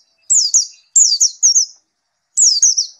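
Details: White-eye in full song after therapy: three bright, high phrases, each a steep falling whistle followed by rippling quick notes, the last phrase after a short pause.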